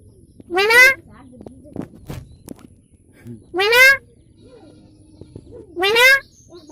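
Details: Talking hill myna saying its own name, "moyna moyna": three loud, nasal, speech-like harmonic utterances, each about half a second long and spaced roughly two to three seconds apart, with faint background clicks between them.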